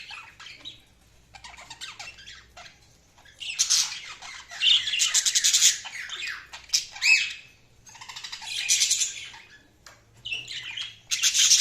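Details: Budgerigar chirping in loud bursts of harsh, buzzy chatter and squawks, several seconds long, separated by quieter pauses, with occasional clear whistled notes.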